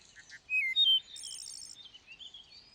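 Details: Thrush song: two short soft notes, then clear whistled phrases sliding between high pitches, followed by a rapid, very high buzzy trill and softer twittering notes trailing off.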